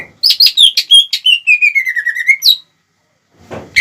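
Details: Lure song of a greater green leafbird, meant to rouse rival leafbirds quickly. Quick chirped notes lead into a long run of whistles sliding steadily downward, then a pause and a rough burst.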